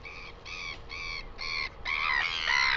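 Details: New Zealand northern royal albatross, 12 August 2020: four evenly spaced, buzzy harmonic notes, each about a quarter second long, then a longer, louder rising and falling bray, over faint background rumble.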